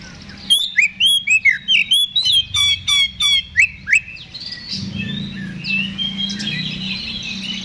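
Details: Oriental magpie-robin in aggressive ngeplong song, meant to trigger a fighting response. A rhythmic string of about ten loud, ringing whistled notes, each with a fluttering buzz, gives way to quieter distant twittering.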